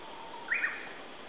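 White-tailed eagle giving two quick, high yelping notes, the second slightly lower, over a soft steady background hiss.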